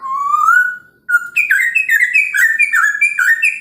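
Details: Morning song of a Chinese hwamei meant to provoke rival birds: a long rising whistle, brief pause, then a rapid run of rich warbled notes with buzzy overtones.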